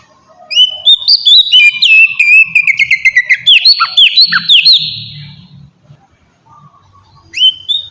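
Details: Lure song of an oriental magpie-robin, played to make other birds respond: varied whistled phrases with upward slurs and quick sharp notes pour out for about five seconds, pause, then resume briefly near the end, with faint low background noise.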